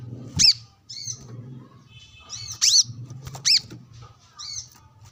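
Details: Brown-throated sunbird calling out rivals while sunbathing, a pattern of loud high piercing chips spaced irregularly, mixed with softer twittering notes and a steady low hum underneath.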